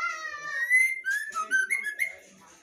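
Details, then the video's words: Female white-rumped shama singing vigorously: clear whistled notes, first a long slightly falling tone, then a quick run of short rising and falling whistles that fades out near the end. "MB betina GACOR sampai AKHIR"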